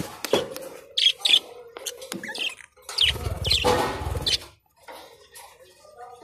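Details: Chattering budgerigars, colourful blue, green, red and yellow birds, let out rapid sharp high chirps in pairs and runs, broken by a loud broadband rustling burst midway.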